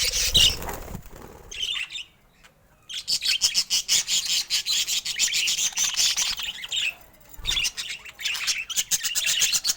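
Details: Pet budgerigar chattering: rapid rasping ticks and scratchy warbles run in long bursts, with brief silent breaks and a louder squeaky note at the start.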